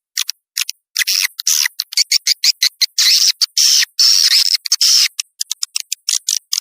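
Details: Outdoor swiftlet-attracting call from Laos or Thailand: short scattered ticks give way to dense buzzy, chattering bursts in the middle, then thinning back to quick clicks.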